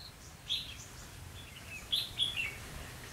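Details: Trapping decoy red-whiskered bulbul on 12/11/2016 singing in challenge to rivals; two short bursts of clear chirped notes, a single phrase then a brisk three-note run, with faint high twitters between and a soft outdoor hush.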